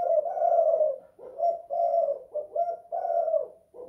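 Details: Spotted dove cooing inside a house, in the kuk 2 / guk 1 style: mellow low notes run together, some drawn out, others clipped, all at much the same pitch.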